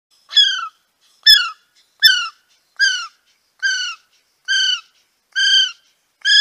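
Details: Kiwi calling in a steady series of shrill, piercing whistles, each note sliding briefly downward and then holding level, repeated roughly every 0.8 seconds with short silent gaps; no other sounds.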